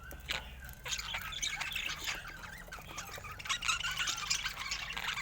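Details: Faint budgerigar chatter continues without a break: busy, scratchy twittering and chirps from what sounds like several birds at once.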